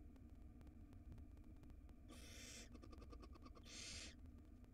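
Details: Tiny wild barn owl nestling in a nest box, swallowing a rodent tail like spaghetti, makes two harsh, airy hisses a second apart, with rapid ticking sounds between them and a low hum throughout.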